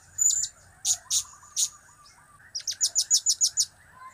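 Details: Blue-crowned hanging parrot in chatty form with cap, kiak and crap calls: a few harsh shrill bursts, then a quick even run of about eight high notes, with soft wavering mid-pitched chirps underneath.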